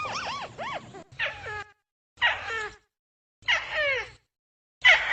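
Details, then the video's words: Rufous-fronted prinia lure call used for trapping birds: short bursts of strongly harmonic notes, first a run of arched up-and-down notes, then steeply falling slurred notes in groups roughly every second, with a faint low hum beneath. "SUARA PIKAT BURUNG TIKUSAN"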